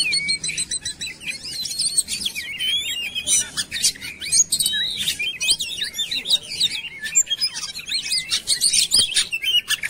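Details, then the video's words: Kacer (oriental magpie-robin) song used as a lure to get birds singing: a dense, energetic run of varied high whistles, chatters and rapid slurred notes, almost without pause. "KOMPLIKASI PANCINGAN KACER CEPAT GACOR"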